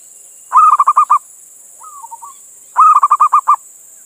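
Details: Male local zebra dove in Indonesia calling to a female. Two loud phrases of about six quick, bubbling coo pulses each, separated by a faint wavering coo, with constant high-pitched hiss behind.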